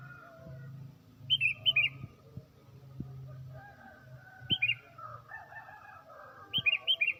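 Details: Tame sooty-headed bulbul singing actively in the morning, its song used as a lure for attracting birds: short bubbly phrases of three to four quick whistled notes, given in three bursts a few seconds apart over a low steady hum.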